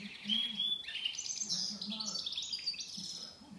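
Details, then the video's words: Goldfinch mule song fragment: quick twittering and thin whistled notes over a low background hum. "mullet chardonneret"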